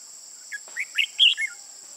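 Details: Red-whiskered bulbul, a mature bird with red patches on both sides of the face, recorded during a trapping session on 15 June 2018. It gives a brief burst of bright, warbled whistled notes that rise and fall over a steady high insect drone.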